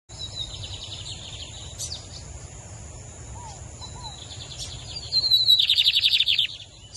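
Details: Lined seedeater (bigodinho), song styles bafú and torneiro compared; thin high twittering notes drift in faintly, then a loud, rapid buzzy trill bursts out near the end over a steady low hum.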